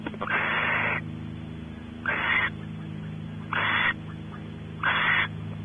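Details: In the nest cavity of barn owls at Audubon Starr Ranch, California, male exploring, female expecting mating: one long harsh hiss followed by three shorter rasping ones spaced over a second apart, with a droning low hum.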